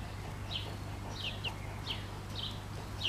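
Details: Pekin bantam brood, bobtail colour, with the mother hen: single thin high peeps dropping in pitch, spaced roughly every half second, over a low steady hum.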